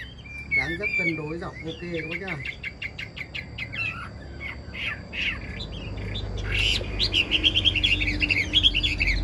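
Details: Chinese hwamei in a cage singing well: harsh, rasping chatter at the start, then a string of sharp clicks, and finally a fast, high, ringing trill. Voices and a low background hum are also heard.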